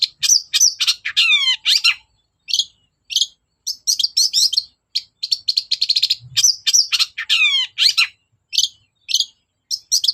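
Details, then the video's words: Long-tailed shrike singing persistently, used as a lure to coax reluctant shrikes into song: rapid varied chatter of harsh buzzy bursts and descending harmonic rattles, with short pauses and quick runs of clipped notes. "BURUNG CENDET GACOR DOR PANCINGAN AMPUH CENDET SUSAH BUNYI"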